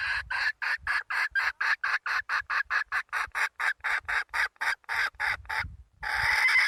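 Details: Hen red junglefowl giving a fast series of about twenty harsh, clucking notes, evenly spaced and roughly three per second, ending in a longer louder harsh note.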